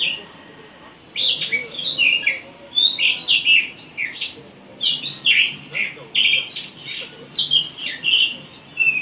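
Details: Blue rock thrush master (tutor) song: a quick, varied run of high chirps and warbled phrases in short, nearly continuous bursts, with faint background noise.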